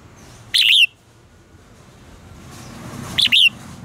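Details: Red-whiskered bulbul singing for contest training: two short, bright, whistled phrases about two and a half seconds apart, each a quick rising-and-falling warble, with rising background rumble toward the end.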